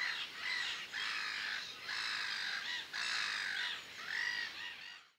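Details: Black-headed Gull at the Harchies marsh, Belgium, in April 2013, giving harsh, grating squawks, about five drawn-out rasping calls roughly a second apart, with some higher squealing notes mixed in.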